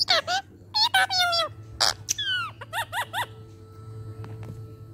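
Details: Talking ring-necked parrot producing speech-like, high-pitched babbled syllables and whistled sliding notes, then a row of three quick chirps, with a low steady indoor hum underneath.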